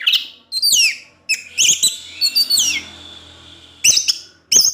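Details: Orange-headed thrush in evening song that draws out other thrushes; high falling slurred whistles and twittered phrases broken by short pauses, with a faint low hum.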